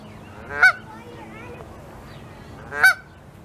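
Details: Canada geese in the wild at Saskatoon, Saskatchewan, May 16, 2021, as goslings settle under the mother's wing. Two sharp, blaring honks come about two seconds apart, with quiet, soft calls in between.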